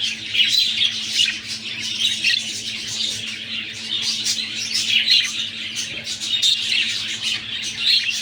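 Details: Budgies kept as a breeding pair chatter steadily indoors ahead of egg-laying, a thick stream of chirps, clicks and raspy squawks pulsing in short waves over a quiet background hum.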